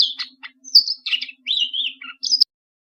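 A Bluethroat sings a quick, varied phrase of sharp chirps, buzzy notes and a clear whistled slur, high-pitched and jumbled, with a faint low hum underneath.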